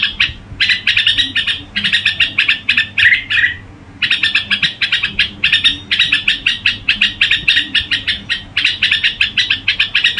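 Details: Red-whiskered bulbul singing in the gù style: dense bursts of rapid chattering, slightly buzzy notes in quick runs, broken by a brief pause near the fourth second, with a faint low hum underneath.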